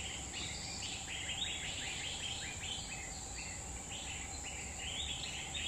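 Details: Grey-bellied bulbul in the wild, forest of Central Kalimantan: rapid, slightly rising chattery notes in repeated short phrases, backed by an unbroken high insect whine.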